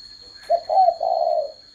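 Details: Single spotted dove phrase: a short low note, then a wavering hooted note and a long, gently falling coo, all within about one second. A steady high tone sounds in the background.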